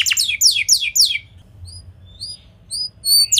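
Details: Canary luring other canaries to sing: a few quick clusters of steep falling notes, then sparse short thin high whistles spaced apart, ending with another sweeping burst.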